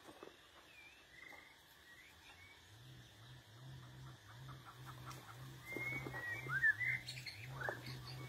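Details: White-rumped shama singing a wild-type song, used as a lure to call birds in the forest: brief, clear whistled phrases, faint at first, then louder with quick rising and falling notes, over a steady low rhythmic hum.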